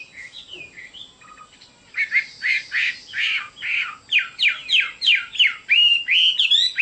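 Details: Loud hwamei song: a few soft notes, then a vigorous string of slurred, rising whistles delivered about three per second, growing brighter toward the end.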